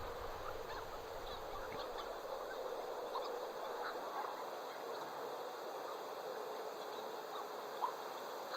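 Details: Hawaiian petrels (ʻUaʻu) at their protected burrow nesting colony on the crater rim atop Haleakala, Maui, call in an overlapping chorus of mid-pitched, honking and moaning notes, over a steady background hiss of wind.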